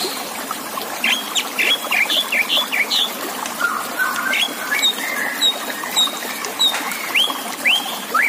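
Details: White-rumped shama singing on a master recording for song contests: clear whistled notes in short varied phrases, some rising, over constant trickling water.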